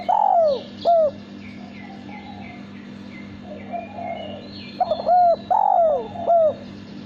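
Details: Male spotted dove, a kept bird whose melodious cooing is sought for contests, repeats its coo phrase twice: quick short notes, a long falling coo and a clipped ending; soft chirps of other birds and steady hum beneath.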